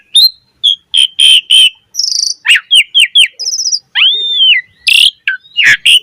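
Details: Black-collared starling singing vigorously with rich filler notes, used to lure other starlings into song: loud varied whistles, slurred upward notes, buzzy trills and sharp chips delivered in quick separate bursts.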